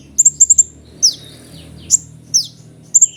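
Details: Kolibri ninja sunbird opening with a quick series of five thin high chips, then a few steeply falling whistled notes spaced under a second apart, over a faint background hum.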